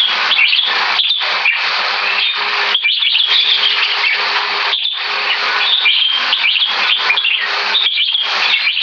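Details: Caged red-whiskered bulbul, about three years two months old and ranked Butir Top 3, singing frequent fast keke and butir phrases: rapid, bright chattering bursts with shrill whistles, separated by short gaps near the third and fifth seconds.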